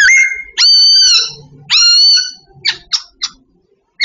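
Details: Singing babbler in bird training. A rising whistle leads into long, steady, ringing whistled tones, then a few brief sharp notes before a final short note.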